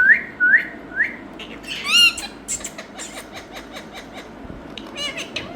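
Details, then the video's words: Three quick rising whistles from a parrot in India, then a loud wavering squawk and a long stretch of softer, rapid chattering calls. "Talking Parrot"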